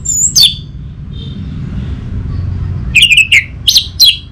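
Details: Orange-headed thrush, caged bird from North Bali, delivering short bright chirped phrases: one burst, a pause, then a quick cluster of sharp notes, with faint low rumble behind.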